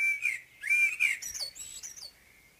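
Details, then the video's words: Common blackbird at morning song, giving two loud, rich fluted whistles followed by a thin, high-pitched tinkling twitter that fades away. "Morgensang - Solsort - Blackbird"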